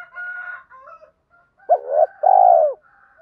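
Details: Spotted dove cooing for training birds, preceded by a softer overlapping tonal note, then a clear short note and a long, even, gently falling coo.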